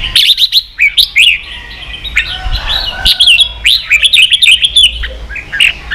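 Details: Red-whiskered bulbul training song, 'ché' style: clear looping whistled phrases, several rising-then-falling notes in quick succession, then short staccato chirps, with brief gaps between bursts.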